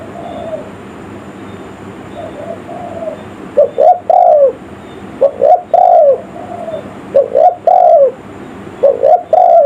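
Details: Spotted dove cooing as a lure for forest birds in the village style. Soft, distant-sounding coos come first, then loud paired phrases of a clipped note and a longer hooked coo, repeated about every 1.5 seconds with some clicking.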